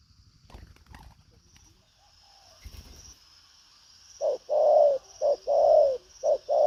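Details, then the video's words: Spotted dove, 'đồng pha chân cua' type with strong cooing and lively behaviour; after several quiet seconds with faint clicks, it bursts into 'thúc gù có lèo' coos, short notes paired with longer mellow ones. "Đồng pha chân cua cứng gù| Nết chơi lăng xăng, thúc gù có lèo"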